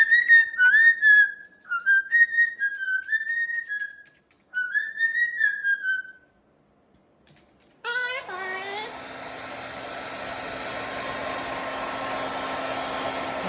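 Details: Pet sulphur-crested cockatoo indoors at blow-drying time with its owner, giving clear whistled notes that rise and fall in short pulsed phrases, then a pause before a steady blow dryer roar takes over.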